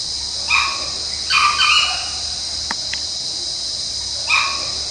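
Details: Sri Lankan junglefowl in the wild at Monaragala, Sri Lanka: short, bright, nasal calls in three bursts, the middle one a two-part phrase, over a steady high shrill of insects.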